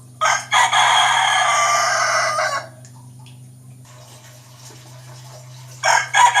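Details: Young rooster crowing: two short opening notes, then a long harsh, strained note of about two seconds. Another crow starts at the end. A steady low hum runs underneath.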